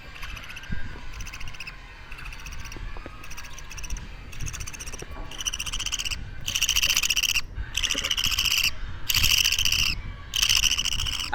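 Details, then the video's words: Two-week-old baby budgerigar (parakeet), kept as a pet bird, giving harsh, raspy, buzzing bursts that start faint and grow louder and longer, repeated roughly every second with short gaps, over low background rumble. "Sounds baby parakeets make"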